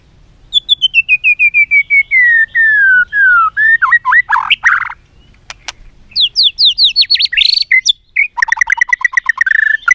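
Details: Loud white-rumped shama song used to coach other shamas: a long descending run of whistled notes, varied slurred whistles and harsh bursts, then fast repeated rising notes.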